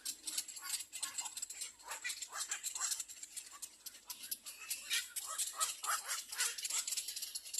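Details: Little egret chicks at their nest screaming for food: a dense, continuous chorus of harsh, raspy bursts repeated rapidly and irregularly, several young overlapping, with no other clear sounds.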